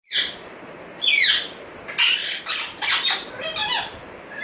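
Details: Pet African grey parrot indoors, a talking bird that whistles and calls names: a rising squawk, then a run of short harsh speech-like calls and whistled notes over about four seconds.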